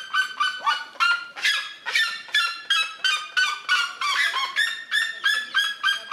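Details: Territorial vocalisation of a red-legged seriema defending its territory: a rapid run of ringing, nasal yelping notes, roughly two to three per second, each rich in overtones, with the pace speeding slightly and the voice staying strong throughout.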